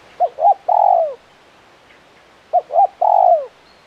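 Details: Spotted dove, a prolific 'kuk 1' caller, repeating a mellow three-part phrase twice: two quick coos and a longer falling croo, about two and a half seconds apart.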